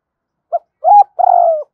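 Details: A short phrase of spotted dove 'hai hậu' cooing, meant to stir a decoy bird: a tiny clipped note, a firmer rising coo, then a long, steady, slightly falling coo.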